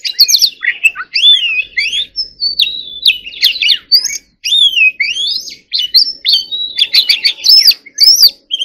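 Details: White-rumped shama singing loudly, a rich varied run of whistled slurs, rising and falling sweeps and sharp clicking notes, delivered nearly without pause, with faint low background hum.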